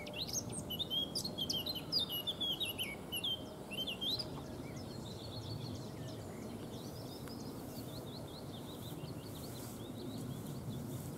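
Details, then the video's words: Eurasian Blackcap in Neerijnen, the Netherlands, heard behind a foraging White Stork; a lively, high twittering warble in the first four seconds, then softer scattered notes over steady low rumble. "In the background you hear a Blackcap."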